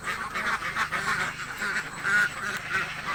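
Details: Loud rapid quacking from hungry ducks in a village, a packed chorus of harsh calls with no gaps across the short stretch.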